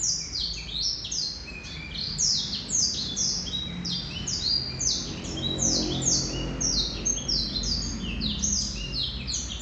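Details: Male Black-throated canary delivering a long, sustained warble of rapid high descending sweeps, dozens of notes tumbling one after another, steady and energetic, over low background hum.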